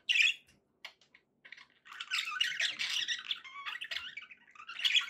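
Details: Budgerigar happy sounds indoors: a sharp squeak, scattered clicks, then a long raspy, buzzy warble with squeaky notes, ending in another bright squeak.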